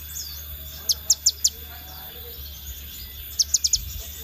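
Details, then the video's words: Scarlet minivet lure: two series of four clear, high, downward-sweeping whistles, evenly spaced, the second series a little faster, over a quiet, steady background tone. "Pancingan Sepah Raja Ekor Merah"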